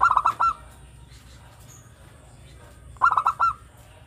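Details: Local zebra dove song, used to lure other birds: two quick bursts of rapid, staccato cooing notes about three seconds apart, with near silence and a faint high hiss between them.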